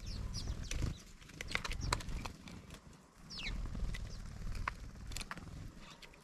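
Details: Many house sparrows descending noisily on a feeder give quick, scattered chirps and sharp clicks from several birds at once, with a low background rumble and brief pauses.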